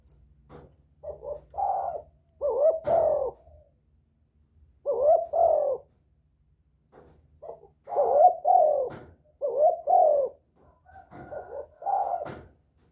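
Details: Spotted dove calling to lure others, repeating clear phrases of short soft notes building to a fuller, slurred coo, several times with brief pauses, near a faint low hum and occasional clicks.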